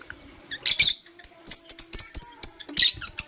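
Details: Blue opaline lovebird in the morning giving short, sharp, high-pitched chirps in quick clusters, a squeaky burst early on, then a steady string of clipped tweets with short gaps between.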